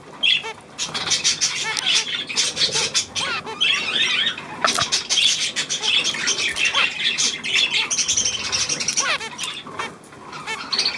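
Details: Budgerigars, 9 February 2024: a long run of quick, harsh twittering and squeaky warbled notes with a brief louder burst near the midpoint.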